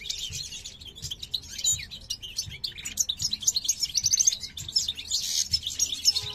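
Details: Male European goldfinch of the parva subspecies, a caged breeding pair for the 2023 season, singing to a female curious about a new nest: rapid high twittering and tinkling trills, dense and continuous, with faint low thumps beneath.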